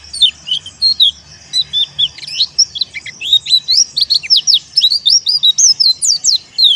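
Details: White-eye, dakun wilis type, giving teler song to call rivals. A steady stream of loud, high, rapidly repeated slurred notes grows denser toward the end, with near-continuous twittering.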